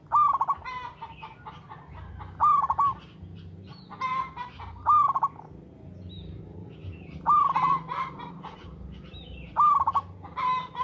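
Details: Local zebra dove, active and regular singer, recorded as a lure: repeated rolling trilled coos roughly every two seconds, mixed with sharp clicking and rattling sounds and a constant low hum.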